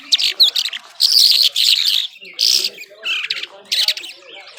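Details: Irani Mashadi skylark, known as jhal, singing powerfully: bursts of harsh, buzzy, high chattering phrases, each about half a second long, separated by short pauses, with faint low background murmur.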